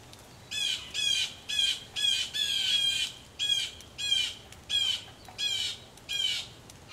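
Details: Several upset blue jays near a rain-soaked Missouri farmhouse porch call over one another in a dense string of harsh, nasal jeers, some running together, with steady rain hiss behind.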